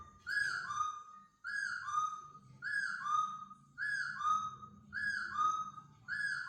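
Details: Laughingthrush set free indoors for the first time, singing a two-part whistled phrase that steps down from the first note to a longer second one, repeated roughly every 1.2 seconds over a faint low hum.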